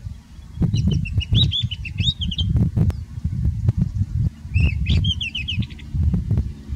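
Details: White-browed scrub robin in Kruger National Park, South Africa, sings two bright, quick phrases of varied whistled notes a few seconds apart, over steady low wind rumble and some knocking.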